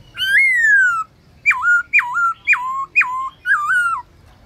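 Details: Midday song of a trained black-throated laughingthrush in forest-voice style: a long falling whistle, a pause, then five loud whistled notes, each a sharp upstroke dropping into a short level tail, spaced about half a second apart.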